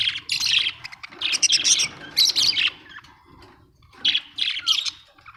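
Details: Household budgerigars produce loud scratchy warbling chatter in several clustered bursts, with a short pause before a final squeaky run.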